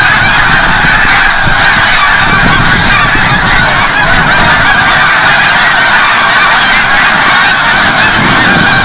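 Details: Evening chorus of snow geese arriving from the bay at Forsythe National Wildlife Refuge, New Jersey, at sunset: thick, constant nasal honking from a large flock, individual calls blending into one din.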